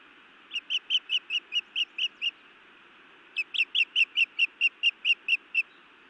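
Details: Wild osprey female scolding her mate on a Montana nest, late May 2017 evening: a run of eight piercing, evenly spaced whistled chirps, a short gap, then a longer, more insistent series of about twelve.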